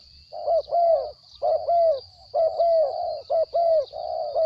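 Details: Short burst from a captive spotted dove with a small voice: close pairs of mellow mid-pitched coos, some notes longer and drawn out, over a steady faint high-pitched tone.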